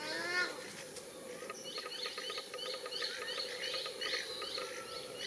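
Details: Little corellas (Cacatua sanguinea) feeding in a eucalyptus tree, possibly seeking wood grubs, give a harsh harmonic screech, then short, scratchy, chattering notes repeated several times a second over steady background hiss.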